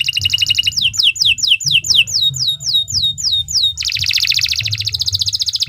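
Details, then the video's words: Canary in full song, a long singer used to train other birds: a quick trill, a series of repeated downward-slurred whistles about four per second, then a dense buzzing rapid trill, with low hum behind. "Kicau Burung Kenari II GACOR PANJANG Cocok untuk Masteran"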